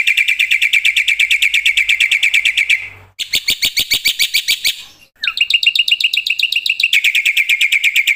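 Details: Loud black-winged myna song meant to stir other mynas into singing: a long fast chatter of rapidly repeated notes, a brief pause, a harsher broken rattle, then another rapid even chatter run.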